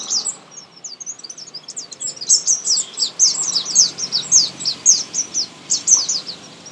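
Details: Common Indian sunbird in a garden, a small bird with a loud, high-pitched musical song: a steady run of sharp, downslurred chirps, nearly two per second, forming a lively twittering phrase.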